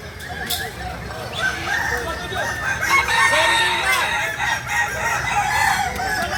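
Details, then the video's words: Kukuak Balenggek roosters from Solok, West Sumatra, build from quiet to loud overlapping crowing, many short arched syllables layered together, with a sharp tap near the start. "Ayam kukuak balenggek ayam asli solok sumbar"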